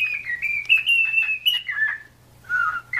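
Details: Cockatiel song for training a pet to sing, a wavering whistled phrase held high then falling, a short pause, then a lower flat whistle and one final rising note.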